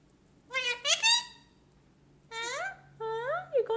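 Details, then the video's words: A 3-year-old male lutino Indian ringneck parakeet talks in bright, nasal, high-pitched bursts: two quick speech-like phrases, a pause, then two more rising, drawn-out phrases. "LOUIE TALKING CLEAR - INDIAN RINGNECK PARROT"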